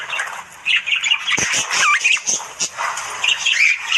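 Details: Australian budgies chatter in the morning with raspy squawks and a few clear whistled notes, including short upward slides, several birds calling together.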